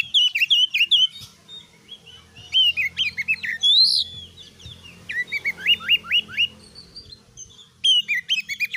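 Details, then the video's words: Vigorous 'gacor' oriental magpie-robin song for training other birds to be fighters: dense jumbled whistles and chatters, a loud buzzy note midway, runs of four to five rising upslurred whistles, faint low hum beneath. "MASTERAN KACER GACOR || Kacer gacor tes mental burung lain agar fighter"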